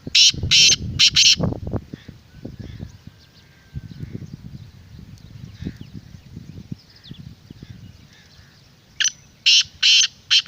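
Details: Black francolin call for luring wild francolins and rousing a kept bird: a rasping phrase of four harsh bursts opens, then low noise, and another grating series of four notes closes.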